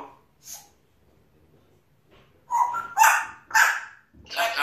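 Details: Pet African grey parrot, a male, chattering to himself: a few faint notes, then a run of loud harsh bark-like squawks, roughly two per second, broad and noisy.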